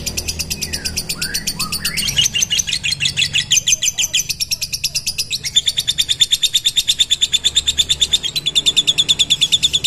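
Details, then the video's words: Long ngekek trill from a mentil lovebird, a shrill rattling chatter of rapid repeated notes that shifts pitch slightly near two and five seconds and carries on without pause, a faint low hum beneath. "LOVE BIRD NGEKEK PANJANG 2 MENIT TANPA JEDA"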